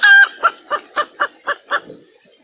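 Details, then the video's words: Mating hen in valentine season opens with a brief strident squawk, followed by six soft, evenly spaced clucks that fade out, over a faint background hiss. "Hen Mating Sound - Happy song during valentine season"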